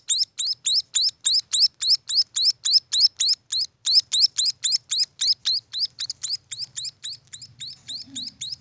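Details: Munia nestlings keep up a fast run of piercing, upward-slurred chirps, a little over three per second, growing slightly softer and more uneven toward the end while a low rumbling hum rises underneath.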